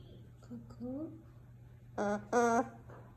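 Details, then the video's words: Noisy umbrella cockatoo: soft rising tonal notes, then two loud, rich, nasal calls in quick succession, each about a quarter second long, over a constant low electrical hum. "Ganito si cockatoo maingay"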